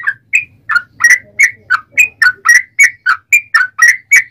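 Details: Rapid chattering song of a yellow-vented bulbul, played to make other bulbuls answer: short liquid whistled notes repeated roughly every quarter second, alternating slightly higher and lower, with a faint low hum beneath.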